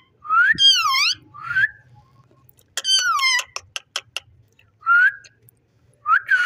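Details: Pet ring-necked parakeet mixes wavering harmonic speech-like phrases with rising whistles, a quick series of sharp clicks in the middle, and short rising notes at the close.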